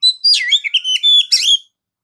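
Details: Rich, continuous Oriental magpie-robin song phrase, a rapid run of whistled, warbling notes with buzzy overtones and quick pitch slides, lasting about one and a half seconds before stopping into silence.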